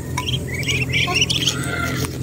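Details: High, slightly rising chirps from Muscovy ducks in Temerloh, Pahang, Malaysia, given in a tumbling sequence that thins out toward the end, over a low droning background.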